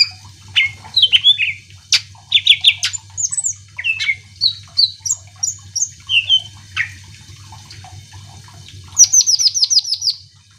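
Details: Greater green leafbird in lively song meant to trigger other birds' singing: mixed whistles, clicks and slurred notes for eight seconds, ending in a fast run of about eight high repeated notes, faint hum behind.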